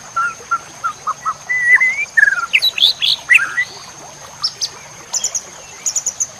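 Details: Masteran of White-rumped shama song for training cage birds: soft separated chirps lead into a rich, fast passage of slurred whistles and buzzy notes, then quieter scattered high ticks. A faint steady high tone continues throughout.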